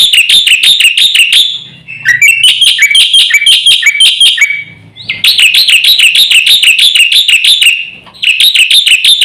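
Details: Javan white starling master recording meant to provoke birds, with rapid ringing chirps in long repeated series, a few rising whistled notes between phrases and a faint low hum in pauses.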